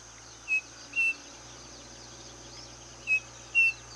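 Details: Striped cuckoo (Tapera naevia) call: two clear, pure whistled notes, the second slightly higher, repeated after a pause of about two seconds over a soft insect hum.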